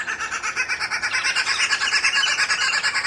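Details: Red-billed wood hoopoes feeding their chicks and clowning around; harsh, chattering cackles pulse steadily about three times a second throughout, a loud rhythmic group chorus with no other clear sounds.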